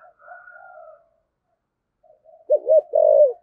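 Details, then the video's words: Spotted dove decoy in the 'thổ' voice style: quiet warbling coos, a short pause, then a loud quick double note followed by a long, slightly falling hoot. "Chim Cu Mồi/ cu gáy giọng thổ thúc gù"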